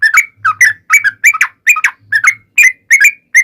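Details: Lively yellow-vented bulbul song played as a lure for other bulbuls: a quick run of chuckling whistled couplets, each a low note sliding up to a higher one, about two per second, with faint low humming.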